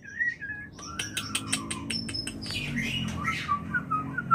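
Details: White-rumped shama mating call for inducing breeding: a short whistled note, then a run of sharp rhythmic clicks about five per second, followed by varied descending whistles with steady low hum underneath.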